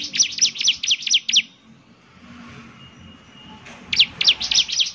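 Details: Bar-winged prinia singing energetically: six quick, high descending chirps, a silence of about two seconds, then four more sharp notes.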